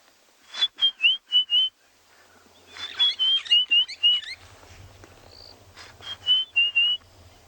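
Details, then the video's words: White-browed scrub robin calling in the background during an afternoon game drive on 13 April 2020 at Ngala Private Game Reserve, South Africa: three bursts of four to five clear, high whistled notes, each about a second long, over faint engine hum. "And you can hear the glorious, glorious call of the white-browed scrub robin in the background."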